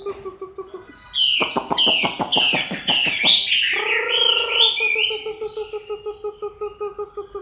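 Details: In October 2015 a moulting Chinese hwamei gives a loud series of sharp clicks merging into cascading high whistles, then a low droning buzz and a regular low pulsed throb.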